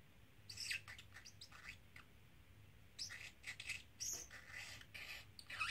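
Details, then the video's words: Pet parrotlet, a three-month-old male, repeating learned phrases and words from a small travel cage; faint scratchy, chattering bursts of bird-voiced speech come in short clusters, with quiet pauses between them and a low hum underneath. "Talking Parrotlet"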